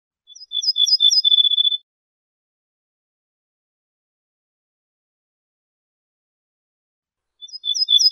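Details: Ortolan bunting, known in Morocco as bouh fassi, singing on an assembled tape of wild bird songs: two brief phrases of fast, thin, high repeated notes with a sustained tone underneath, separated by about six seconds of silence.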